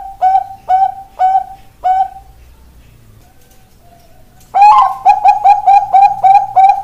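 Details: Bangkok-type perkutut, the zebra dove, ring 495, giving spaced cooing notes about every half second, then a pause with soft murmurs, then a fast run of clear, slightly rising coos.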